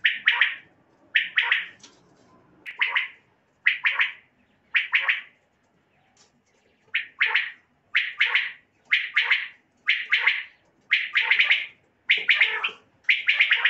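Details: Common quail calls mixed for luring quail on night hunts: loud bursts of two or three rapid, harsh clipped notes, repeated roughly once a second over nearly fourteen seconds, with a quiet background.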